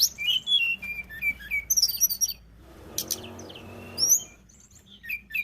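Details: Tledekan gunung song: high whistled phrases and twitters at the start, then a stretch of broad rustling noise with scattered sharp chips, and a few more whistles at the end.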